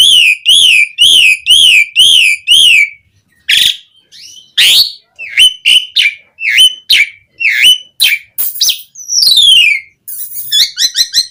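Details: Asian pied starling full song used to make caged birds sing: a run of rhythmic arched whistles, then a brief pause and a lively mix of sharp slurred whistles, rasping bursts and quick twittering notes.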